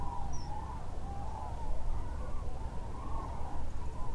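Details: Common Cranes at Lac du Der-Chantecoq, a migration stopover in northern France, leaving their night roost on the lake half an hour before daybreak to feed nearby. Many rolling, trumpeting calls overlap in a continuous chorus over a steady low rumble.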